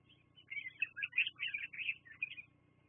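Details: Bald eagles on a live nest cam, 24 September 2022 at 12:14, give a quick string of about eight piping, squealing notes. The notes are strongest in the middle of the run, over a low background hum.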